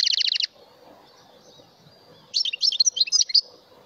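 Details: A mutation European goldfinch sings an opening rapid, even trill of about ten buzzy high notes, falls silent for nearly two seconds, then resumes with a jumbled, liquid twittering phrase of varied high chirps.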